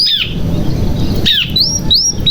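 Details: Canary song played as a lure for young or silent canaries: sparse, high whistled notes, some falling and some rising sharply, with short gaps between them over steady low noise.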